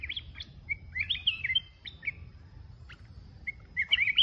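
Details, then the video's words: Mountain red-whiskered bulbul singing alone, bubbly whistled phrases with rapid up-and-down slurs, a quiet gap in the middle, then a loud warbled burst at the close; faint low rumble behind. "Chào mào núi solo"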